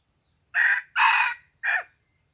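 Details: Wild chicken crowing on the morning of 27 February 2020, a loud harsh crow in three bursts: a short opening note, a longer middle note, then a clipped final note with a falling tail, over a quiet background with faint high chirps.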